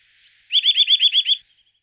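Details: Eurasian nuthatch giving a quick series of seven loud, clear, repeated notes, each a short upward-curving whistle delivered about eight per second, preceded by a faint soft note; no other sounds.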